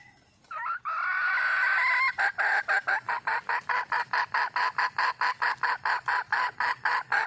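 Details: Wild red junglefowl hen calling for a male: after a brief opening note, a long drawn-out, slightly rising nasal cry, then a steady run of loud, sharp clucks repeated a little over twice per second until the end.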